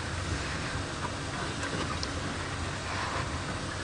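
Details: Heavy broadband rumble of a moving vehicle and wind continues throughout, with no animal sounds.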